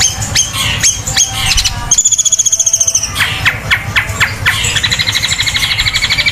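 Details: Long-tailed shrike delivering its powerful 'tembakan kuntilanak' song, beak open wide: scattered sharp squeaky notes, then a clear rapid pulsing trill lasting about a second, more abrupt squeals, and a closing high buzzy rattle.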